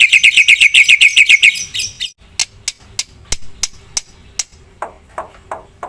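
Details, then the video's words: Black-winged myna in full song opens with a rapid, even string of loud, ringing chirps. A series of sharp, spaced clicks and a few lower squeaky notes follow. "suara jalak putih gacor full isian"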